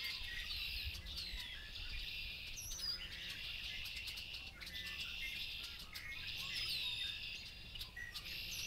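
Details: Farmland chorus in Massachusetts led by red-winged blackbirds: continuous buzzy trills and sliding whistles overlapping from several birds, other species chirping among them, steady low background rumble.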